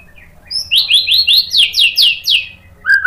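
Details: White-rumped shama song used as a lure to provoke other shamas into singing: a quick series of about eight bright, downslurred whistled notes in steady rhythm, ending with a lower sliding whistle.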